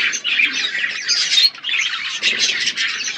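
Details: Budgerigars in an outdoor aviary eating seeds: bursts of scratchy chattering and squawking from several birds, pausing briefly around one and a half and two seconds.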